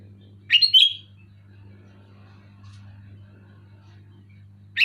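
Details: Loud, clear sooty-headed bulbul song used to prompt silent bulbuls to sing: one quick liquid phrase of a few fluty notes, then silence and the start of another phrase, over a constant low electrical hum.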